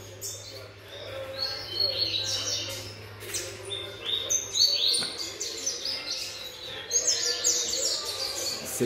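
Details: Seven-month-old young double-collared seedeater (coleiro) giving a rapid sequence of songs; sharp chirps and quick high twittered phrases in bursts, with brief pauses between runs, a man's voice and a steady low hum beneath.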